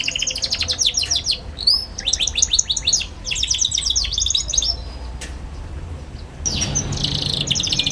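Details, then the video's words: Young canary singing, a recording meant as a tutor for other young canaries learning to sing: rapid high buzzy trills in repeated bursts, each a quick run of stacked notes, separated by brief pauses, with a sharper noisy burst near the end. "KENARI PAUD NGERIWIK GACOR CUIT CUIT BIKIN EMOSI |22| COCOK BUAT PANCINGAN KENARI PAUD BELAJAR BUNYI"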